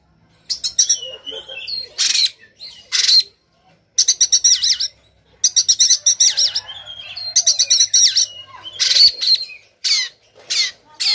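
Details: Sumatran white-rumped shama, agitated and fighting with tail spread, singing rough rapid phrases: fast rattling trills, harsh noisy bursts and brief whistles in quick clusters separated by short pauses.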